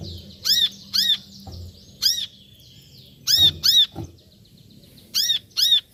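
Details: Brown-throated sunbird giving loud, piercing, high call notes, mostly in doubled bursts separated by short pauses, over faint continuous twitter and a few low knocks.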